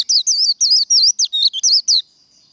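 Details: Japanese white-eye, contest 'líu' singing style: a two-second burst of about nine clear, high, looping whistled notes, each rising then dipping, delivered quickly one after another.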